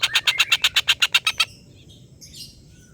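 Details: Brief burst of a collared kingfisher's laughing call, used as tutor audio for contest birds: about a dozen quick, rasping notes over one and a half seconds, then quiet with a faint high chirp.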